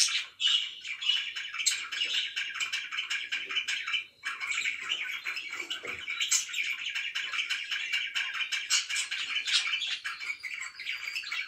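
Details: Steady morning chatter of pet budgerigars: a continuous buzzy warble of rapid chirps, one brief dip in the middle, then the scratchy stream resumes.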